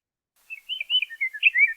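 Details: Scott's Oriole in southern Nevada, a species that typically sings from Joshua trees or pinyon-juniper woodland, gives a quick run of clear, flute-like whistles rising and falling over little more than a second; nothing else heard.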